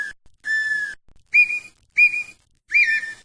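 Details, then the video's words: Brazilian red-winged tinamou (perdiz, perdigão) giving five clear whistles: two long, level notes, then three short rising notes about every two-thirds of a second, in a quiet setting. "perdiz ou perdigão"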